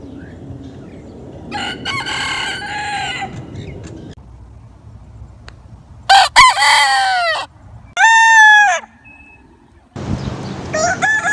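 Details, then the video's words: Several rooster crows from different takes, some distant and muffled, others close and loud with arching harmonic notes, with background hiss and cuts between recordings. "Rooster Crowing Compilation Plus Rooster Crowing Sound Effect 2022"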